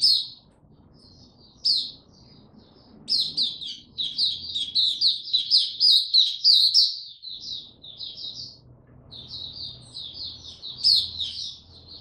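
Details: Young male white-eye developing his song, 9 February 2022: scattered high notes build into a rapid twittering warble, break off, then resume, with a soft low hum and room noise in the background.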